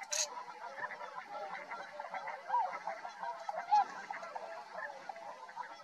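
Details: Tundra swans at Rosedale and Munson near Drumheller, Alberta, Canada, keep up a murmuring flock chorus with two clearer, short downslurred honks midway and a sharp noise burst at the start.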